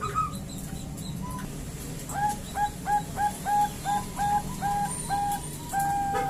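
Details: Zebra dove, a female calling the male, used as a lure for Bangkok-type birds: a run of short clear whistled notes near the same pitch, repeated about every third of a second, ending in a longer held note over low background hum.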